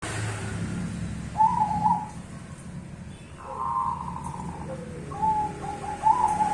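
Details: Zebra dove of the cemani bangkok type, singing actively, used as a lure to set other doves answering and to restart birds that have stopped singing; three short, rolling cooing phrases spaced about two seconds apart over steady low background rumble.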